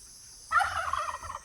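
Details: A turkey at an off-grid homestead with pastured cattle lets out a single rapid, gurgling gobble lasting just under a second, a quick rattle of mid-pitched notes against a quiet background.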